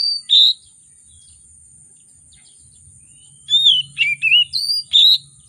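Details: Excited oriental magpie-robin, kept as a lure to make quiet magpie-robins sing, gives a loud whistled note, pauses about three seconds, then bursts into a quick run of five rich phrases, swooping and upward-slurred whistles, over a soft low hum.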